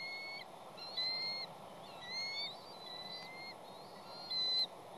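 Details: Female bald eagle arriving and calling at her West End nest on Catalina Island while her two chicks wait for her mate to bring fish. Thin, high whistled notes with a slight upward slur, given about once a second, with steady background hiss.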